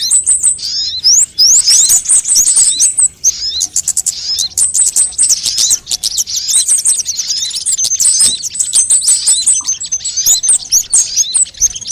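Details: Lure recording of many sunbird types to call in birds and coax singing: long run of high, squeaky twittering and rapid chirp series, several birds overlapping, with occasional upward-sweeping whistles.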